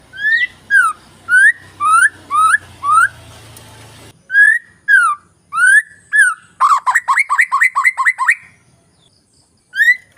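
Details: ['White-rumped shama lure song for coaxing birds that are reluctant to sing. Loud clear whistled notes, rising then falling, repeated about twice a second. A rapid burst of sharp notes follows. Faint low hum in the first four seconds.']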